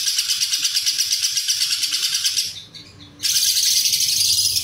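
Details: Long ngekek from a lovebird, cililin filling, used as a master recording for contest birds: shrill rapid chattering trill beating about three times a second, a brief lull, then the same loud trill again.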